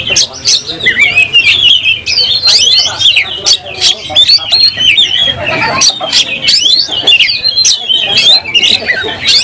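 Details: Oriental magpie-robin in an emotional fight, tail open: long, unbroken torrent of high whistled notes, downward slurs and scratchy chatter, loud and close.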